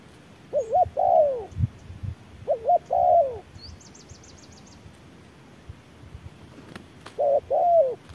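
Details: Spotted dove in harsh midday sun, a wild bird contesting an electronic decoy. Paired coo phrases with rising-then-falling notes repeat in bursts. A high rapid trill sounds between them, and a couple of sharp clicks are heard.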